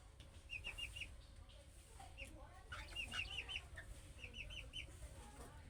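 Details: Budgerigar chicks giving calling-style chirps that prompt other budgerigars to answer: short warbled chirps in quick clusters of three to five, repeated across the clip over a low steady background hum.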